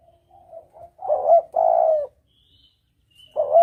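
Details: Spotted dove calling as a hunting lure: soft lead-in coos, then a loud rising coo and a long husky coo, with a new phrase beginning at the end and faint high chirps.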